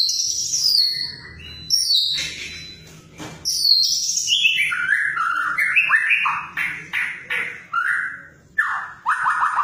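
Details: A white-rumped shama sings with energy, mixing high sweeping whistles with a long string of varied, bouncing mid-pitched notes and quick downward slurs, over a low hum.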